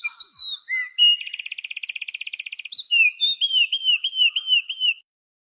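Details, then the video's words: {'caption': "Unidentified songbird whose song is said to resemble a magpie robin's. It opens with clear high whistles, runs into a fast, even rattling trill, then repeats a slurred, rising-falling whistled phrase about five times in a quiet setting."} "suaranya mirip Kacer, burung apa ini ?"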